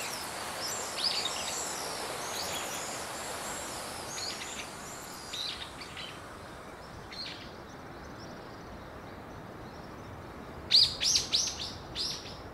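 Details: House swifts at a long-established colony of about 200 birds nesting under rooftop eaves in Surugadai, Tokyo: scattered high, chattering trills, ending in a loud, rapid cluster of shrill trilled notes, with steady city noise throughout.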